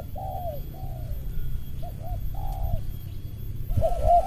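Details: Spotted dove in a lure contest with a rival, 'rapat ngeruk' calling; softer falling coos and short paired notes, ending with a louder burst of notes over low rumbling noise.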